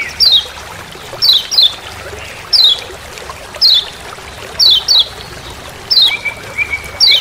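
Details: Lemon-bellied white-eye from Lombok, known as kecial kuning, giving its 'ciak ciak' call in forest for use as master sound; repeated high downward-sweeping chirps, often doubled, plus a brief level whistled trill near the end, over hiss.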